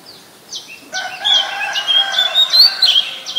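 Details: Oriental magpie-robin, a very common resident, in Ubon Ratchathani, Thailand, on 7 January 2021, recorded with a Nikon P1000: high whistled notes, each sliding downward, repeated over a steady lower hum.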